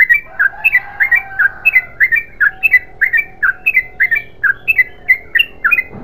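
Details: Yellow-vented bulbul delivering a 'gacor ropel panjang' long continuous song: repeated liquid, warbled notes, each swooping down then up, run together in an unbroken series beside a faint steady tone.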